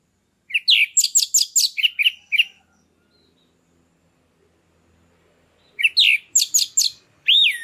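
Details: Loud, free-flowing song of a caged orange-headed thrush, played to trigger breeding condition in a quiet captive bird; a rapid burst of about eight buzzy, varied notes, a pause of about three seconds, then a second similar burst ending in a drawn-out whistle.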